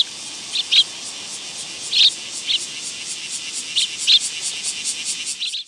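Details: Sparrows coming to a raised feeding platform at a Tenmangu shrine on 15 August 2022 give short, bright, high chirps, single or in pairs, every second or two. A loud, steady, pulsing insect drone fills the background.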